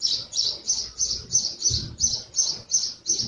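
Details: A house sparrow in Jeddah, Saudi Arabia, where it lives year-round, chirps steadily, about three bright, rasping cheeps per second in an unbroken series, over a faint low background rumble.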